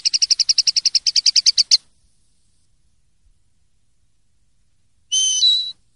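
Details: Common linnet singing a clean song in the silvestrismo tradition of Spanish songbird keeping: a rapid train of about fifteen evenly spaced, bright high notes over nearly two seconds, then silence and a short nasal whistled phrase near the end.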